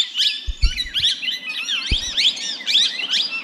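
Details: Tame talking plum-headed parakeet (Psittacula cyanocephala) chattering in a fast, unbroken run of high, squeaky chirps and twitters, with a few dull knocks and bumps underneath.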